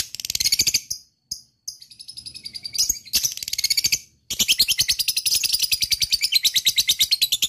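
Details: Lovebird ngekek: harsh high chatter broken by short gaps, then a long continuous rapid trill of scratchy notes, about three per second; used as a lure to make other lovebirds sing along.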